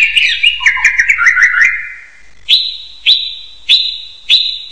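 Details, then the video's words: Hill myna with a quick run of chattering, warbled notes, followed by a loud, sharp high note repeated about every half second. "SUARA HEWAN SUARA BURUNG BEO"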